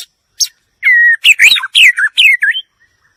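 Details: White-rumped shama song: a quick chip, then a steady clear whistle followed by rapid, richly varied slurred notes that dip and rise, ending in a soft fading note.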